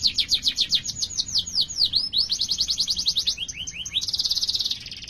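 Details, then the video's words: Long rolling canary song, recorded as a lure for other canaries: a fast series of repeated chirps, a burst of swept notes, another quick chirp series, then a dense high buzzing trill to the end. "Masteran Suara Burung Kenari Gacor Panjang cuit cuit Ngerol untuk Pancingan Kenari!"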